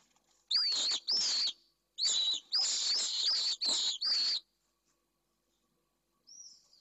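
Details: Pallid swifts inside a nest box in Jerez de la Frontera, Spain, during a fight over a nest with a newly laid first egg, a male expelling an intruder: a burst of six loud, rasping, buzzy screams, some run together, then silence and a faint high note.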